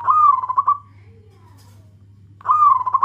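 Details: Local Indonesian zebra dove calling to its companions: two loud trilled, pulsing coo phrases separated by a pause, with a steady low electrical hum underneath.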